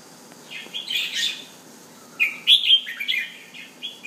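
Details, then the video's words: Home-kept bulbul, locally Jumbul or Penang bird, in a clear, tone-by-tone display: a soft chattering phrase, a pause, then loud whistled notes sliding up and down into a rippling warble. "Jumbul Bird- Penang Bird"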